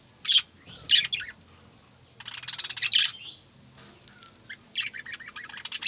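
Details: Budgerigars kept at home chirping in the morning: bursts of high, scratchy chattering warble come in short clusters separated by quiet gaps, over a faint low background hum.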